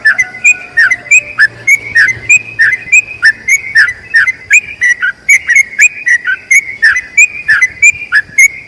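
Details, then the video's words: Long rolling song from a sooty-headed bulbul, meant as a model for other bulbuls: lively sequence of clear, slurred whistled notes, about three per second, over a faint low drone at the start. "BURUNG TRUCUKAN ROPEL PANJANG UNTUK MASTERAN TRUCUKAN LAIN"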